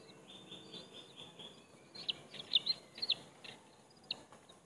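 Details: Bald eagle nestlings fighting, the first-hatched chick bullying and attacking its youngest sibling: sharp high squeaking chirps clustered in a short excited run, then a single later peep, with a low background hum.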